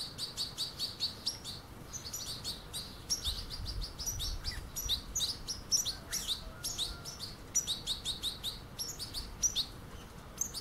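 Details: At a puddle, goldfinch fledglings chase the adults: a dense, continuous stream of high, squeaky twittering chirps from several birds, fast and almost unbroken, with soft low-pitched ambient noise underneath.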